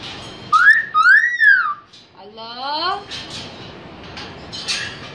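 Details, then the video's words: Pakistani talking myna, a pet bird, repeating "Allah": two loud arched whistled syllables, rising then falling, followed by a softer harmonic-rich rising sound and scattered noisy bursts indoors. "Amazing Pakistani Myna Talking | Talking Myna " ALLAH HU " " ALLAH" etc"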